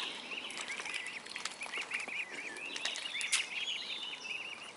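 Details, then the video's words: Baby mute swans peeping: rapid strings of thin, high, slightly wavering notes, run together in bursts, over a hiss of outdoor noise with occasional sharp clicks. "Swan babies"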